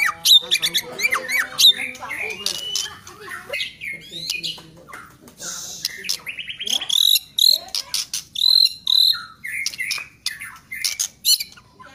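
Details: Bright whistled phrases from a White-rumped shama, some held high and level, alternating with buzzy, clicking chatter and fast trills.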